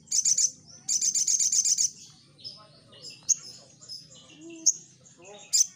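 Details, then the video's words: Brown-throated sunbird singing actively, a recording used as a lure to draw responses: fast rattling bursts of very high buzzy notes, then scattered thin whistles and rising sweeps, with soft low background murmur. "Di Jamin Respon Sogon Langsung Nyaut | Burung Sogon Gacor"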